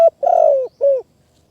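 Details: Spotted dove cooing during decoy-bird trapping in high-forest country of Kanchanaburi, Thailand; a loud, close, low cooing phrase: a short note, then a long burring, trilled coo that falls slightly, then one rounder closing coo, in silence.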